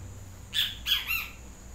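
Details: A single loud, harsh three-syllable phrase from a yellow-crested great kiskadee, the last note falling, against a quiet hiss.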